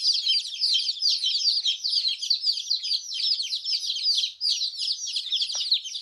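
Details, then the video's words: Chicks chirping: many high, sharp peeping notes overlapping in a continuous busy chorus, with no pauses. "Chicks chirping sound"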